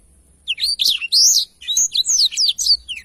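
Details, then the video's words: Blackthroat delivering a long rolling song: after a short quiet start, a continuous stream of high, sweeping whistles and quick trills. "Tarikan Suara Blackthroat Super Gacor Ngerol Panjang"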